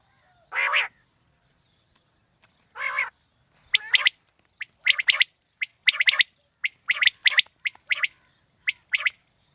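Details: Quail call played to lure quail on a morning hunt: two drawn-out, harsh, buzzy notes, then a rapid run of sharp, clipped two- and three-note bursts repeated almost every second.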